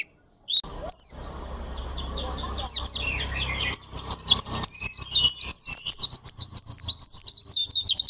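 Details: Pleci ngalas, an Oriental white-eye, singing a long rolling tutor song: a fast stream of high, sweet warbled notes and twitters building steadily in density and loudness over a low background hum.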